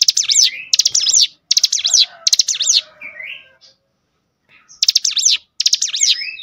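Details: Cinereous tit song, a bait recording meant to make other tits sing at once: bright, sharp clusters of rapid high notes with zigzag sweeps, repeated about 77 times a minute, with a short gap and a few softer chirps mid-clip.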